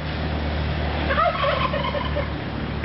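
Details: Escaped domestic turkey wandering in a yard, gobbling when a dog barked at it through a sliding glass door: a brief rapid gobbling burst among steady low engine-like rumble and handling noise.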